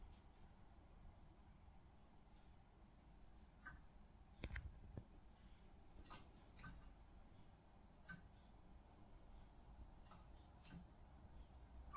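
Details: A low indoor hum with scattered soft clicks and taps, and no birdsong or other animal voice.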